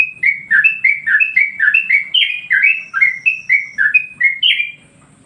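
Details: Yellow-vented bulbul master song for training and provoking other birds: a fast burst of bubbly, warbling whistled notes, tumbling up and down, ending in half a second of quiet.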